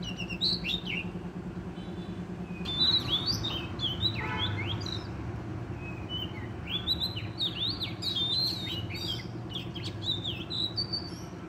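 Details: Wild Oriental magpie-robin, targeted for trapping, singing vigorously: a long, rich series of varied whistles, swoops and chirps, high and fast, with brief pauses, over a constant low hum.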